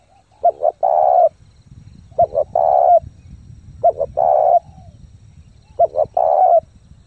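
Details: Spotted dove lure bird in fast, forceful cooing to train wild-caught doves. Four evenly spaced phrases, each with two clipped notes and then a sustained mellow coo, over a steady low rumble.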